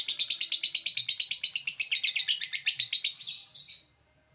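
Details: Lovebird "ngekek" chattering, a call said to rouse other lovebirds to respond; about thirty rapid, high, harsh notes in an even rattle, ending in two drawn-out screechy notes.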